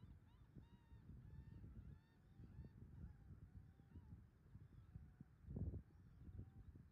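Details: American oystercatcher at Sedge Island, Ocean County, New Jersey, August 30, 2018: several thin, fairly level piping whistles repeated at irregular intervals, partly masked by strong low wind and water rumble.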